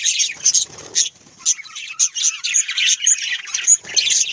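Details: Pet budgerigars utter uneven bursts of high scratchy chatter and squawks, with several clear whistled chirps, separated by short quiet gaps.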